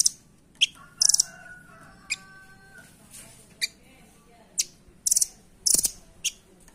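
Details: Velvet-fronted nuthatch (rambatan doraemon), valued for its speed as a master voice for training birds: isolated sharp high chips and short rattling bursts spaced irregularly, with a faint thin whistled tone in the background.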